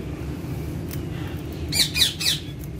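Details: Green parrots kept as pets: after a quiet start, three harsh, raspy squawks follow in quick succession near the end, each short and noisy, over a steady low background hum.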